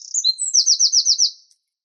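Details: Wren song, Troglodytes troglodytes: high thin notes leading into a fast rhythmic trill of about eight repeated descending notes, ending abruptly in silence.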